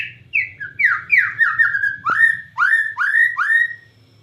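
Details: Bornean white-rumped shama singing vigorously in the cililin style: a run of loud, clear whistled notes, each sliding downward, repeated about every third of a second, then rising upslurred notes; faint low hum underneath.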